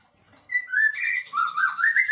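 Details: White-rumped shama, called murai batu, giving isian song: a sustained whistle that dips, wavers, then climbs steadily higher in a smooth flowing phrase.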